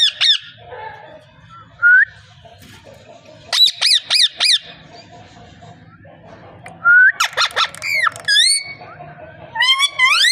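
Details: Parrot calling in scattered bursts: a quick series of four sharp, harmonic squawks, then a rising whistle, a clustered burst of notes and nasal upslurred calls near the end. A low hum runs underneath.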